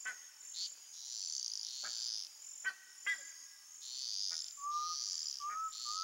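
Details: Jaó, the undulated tinamou, singing in the sertão: two pure, slightly upslurred whistles near the end, set against a pulsing high insect chorus and several dry clicks.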